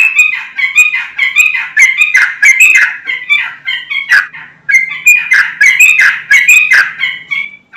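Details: Sooty-headed bulbul song used as a lure to make other bulbuls answer: dense run of bubbly, chattering whistled phrases, repeated in quick bursts with brief pauses, bright and loud throughout.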